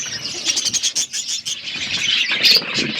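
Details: Budgerigars giving quick, high chirps and thin twitters in a dense, overlapping patter.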